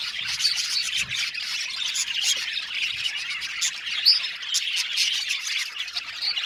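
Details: Budgerigar aviary colony, constant high-pitched chirping and harsh squawks layered into a thick chatter, a sharp whistled note rising out near the middle.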